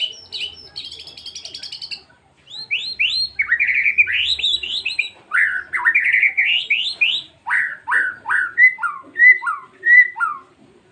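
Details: White-rumped shama singing a rich varied phrase: a fast rattling trill, then rapid rising and falling whistled notes in quick runs, ending with slower, well-spaced descending whistles about every half second, in quiet surroundings.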